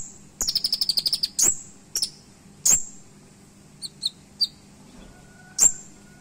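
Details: Van Hasselt's sunbird (kolibri ninja) giving an 'isian' song: one rapid high trill of a dozen ticking notes, then sharp separate high whistles and a few soft high chips with pauses between.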